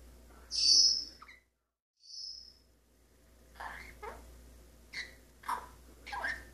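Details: Captive male Maximilian's pionus parrot singing indoors, practising scales and song fragments: one loud shrill high whistle, a short pause, then a quieter whistle and a run of brief chirpy notes roughly every half second.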